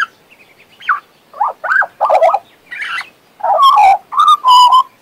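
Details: Singing pet Western Australian magpie: soft scattered chirps building into choppy warbles, ending in loud clear harmonic whistles that waver slightly.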